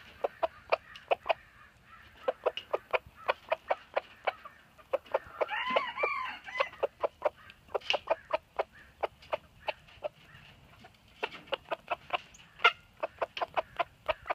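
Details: Ohiki rooster crowing: one drawn-out, harmonic crow partway through, set among a dense run of short, sharp clucks repeated several times a second from chickens nearby.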